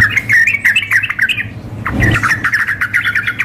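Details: Sooty-headed bulbul, a female calling a male, combined with an excited, vigorously singing bird; rapid squawky chattering notes tumbling continuously, with a brief pause midway and a faint low hum beneath.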